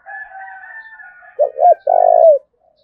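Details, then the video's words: Spotted dove from Đồng Nai, Vietnam, in thúc bổi style calling: a faint drawn-out tonal sound at first, then two short clipped coos and a long, steady coo that tails downward at the end. "tiếng cu gáy thúc bổi"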